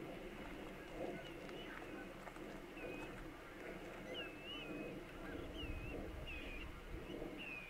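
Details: American avocet (Recurvirostra americana) on mudflats or marshes gives thin, high, slurred kleek calls, roughly one a second, over a steady low rumble of wind or engine noise.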